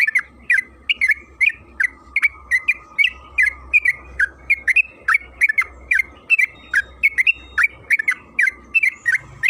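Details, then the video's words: Sustained song of a yellow-vented bulbul (trucukan kebo), a lure to make other bulbuls sing: continuous stream of short bright chirps, about two to three per second, over nearly ten seconds, with a steady faint tone and low rumble. "Pancingan trucukan agar bunyi‼️Suara burung TRUCUKAN KEBO Gacor ropel Panjang"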